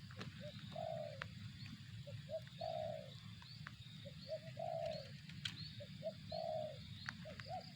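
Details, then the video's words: Spotted dove cooing: short paired notes followed by a longer, slightly falling coo, repeated roughly every two seconds over a steady low rumble, with faint high chirps from other birds. "suara burung tekukur"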